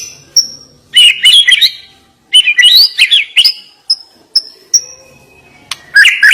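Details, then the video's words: White-rumped shama singing sharp song fills. Tumbling, scratchy warbled bursts alternate with isolated thin, high whistled pips, ending in a rich warbled phrase. "Ngeri Isian Murai Batu Ini Nembak Tajam"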